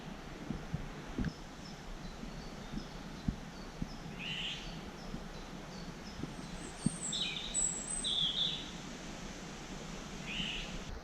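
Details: Eurasian golden oriole in the Netherlands, first thought to be a female but seen to be a male flying through the canopy, giving harsh, rasping, cat-like screeches in short bursts several seconds apart, over wind and distant noise.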